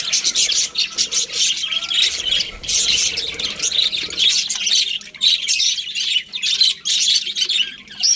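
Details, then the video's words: Several budgies chirp in uneven bursts, high scratchy twitters broken by short quiet gaps. "Cute Budgies Chirping Sounds"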